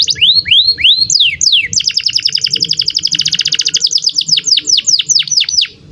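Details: Canary song in the morning: fast repeated rising sweeps, then a long rapid trill of short clipped notes, ending in descending slurred whistles, with a low steady hum underneath.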